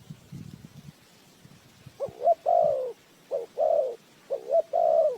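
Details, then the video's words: Low rustling and tapping, then a spotted dove used as a bird-trap lure coos three times. Each phrase is two quick rising notes followed by a sustained, hollow coo. "Tiếng chim cu gáy mồi chuẩn gáy gọi cực hay"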